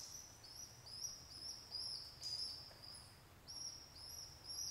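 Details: Pet pigeon babies begging while their single father feeds them after their mother was taken by a hawk: thin, high, flat squeaks drawn out in a steady repeated series, with a faint rustle midway.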